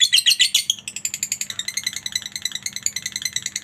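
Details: Lovebird chatter used to get other lovebirds calling: a harsh, rasping burst followed by a steady run of fast, high, ticking notes over a faint low hum.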